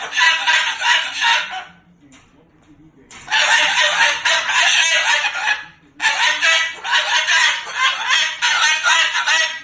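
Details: Angry Moluccan cockatoo talking and cursing loudly. It gives three long runs of grating, choppy vocal bursts, each lasting a few seconds, with a quiet pause between the first two.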